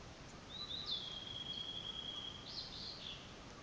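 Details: Bird in a forest along a walking trail at the Jaerim training institute, recorded in May 2012: a thin, high, drawn-out whistle holding a steady pitch for about two seconds, then a brief fluttering note, over constant hissing background noise.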